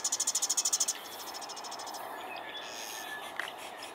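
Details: Marsh wren (Cistothorus palustris) singing at Moonglow Dairy, Moss Landing, California: a fast, dry trill of about a dozen high notes in under a second, then softer buzzy notes trailing off.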